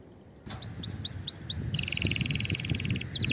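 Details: Excited canary singing to encourage other canaries and ready the female for mating; five rising whistles follow a quiet start, then a dense buzzing trill, over a low background rumble.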